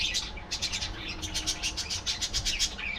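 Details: Budgie colony sound: quick, evenly pulsing high chirps, several per second, run on without pause over a faint low rumble.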